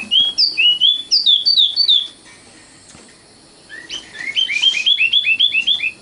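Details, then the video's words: Common nightingale song with loud, clear whistled notes repeated in fast bursts. A brief quiet gap follows, then a rapid series of rising chirps and whistles delivered several per second. "kicau burung sikatan londo matal"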